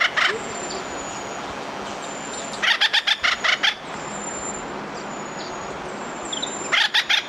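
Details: Acorn Woodpecker from Santa Barbara County: short bursts of rapid, harsh, clipped notes, a group of about six near the middle and another at the end, separated by long stretches of steady hiss and a faint high whine.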